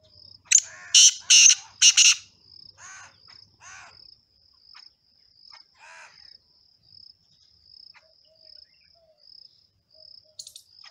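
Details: Male black partridge singing: three or four loud grating notes at the start, followed by softer repeated chirps of other birds and a continuous high-pitched insect trill.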